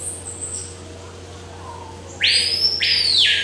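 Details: Violaceous euphonia in eastern South American forest giving a pair of loud, rasping notes that bend upward and then down, after a quiet stretch of faint high whistles over a low steady hum.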